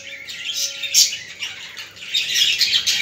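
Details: Budgies, a recording for stimulating budgerigars: high busy chatter with a sharp squeak near the middle and a faint steady tone underneath, then livelier warbling toward the end.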